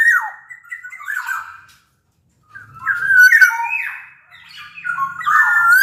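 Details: Sumbawa black-naped oriole used as a lure song for orioles that rarely sing: warbled whistled phrases with harsh squawky overtones, a brief silence, then a louder run of slurred notes.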